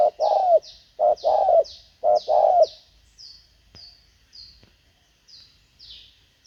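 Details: Spotted Dove kept as a decoy for luring wild birds: three quick groups of deep coos, each a short note then a long one falling at the end, followed by quiet high chirps.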